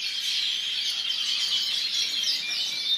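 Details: White goldfinch in a brief burst of dense, high, liquid twittering with a few thin whistled notes near the end.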